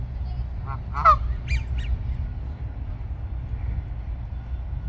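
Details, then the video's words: A Canada goose at a pond gives a few loud, nasal honks near the start, then falls quiet over a low steady rumble of background noise. "Canada Goose Honking"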